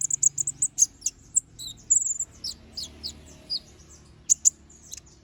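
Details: Little spiderhunter, kept as a singing bird, in an active, full song with sharp fill notes: rapid, piercing high chirps and short downslurred notes in bursts, some quick trills, separated by brief pauses, over a faint low hum.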